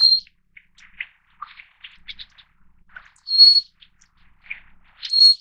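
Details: Taiwan endemic Little Forktail, subspecies Enicurus scouleri fortis, found along mountain streams at 600 to 2,400 metres: a few thin, high, drawn-out whistles separated by scattered soft lower chips and clicks.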